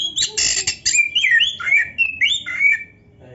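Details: Singing black-breasted Oriental magpie-robin on a training recording: harsh buzzy squawks open, followed by a run of clear swooping whistled slurs, then fading to quiet.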